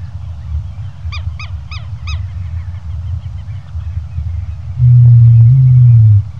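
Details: Greater rhea giving a single deep, droning low boom lasting over a second near the end, rising slightly in pitch midway, over a steady low rumble; faint goose-like honks are heard early on.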